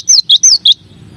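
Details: Cinereous tit, called gelatik batu or gelatik wingko, singing one of nine training variations: four loud piercing whistles alternating long slurred downward notes with shorter lower ones, then quiet.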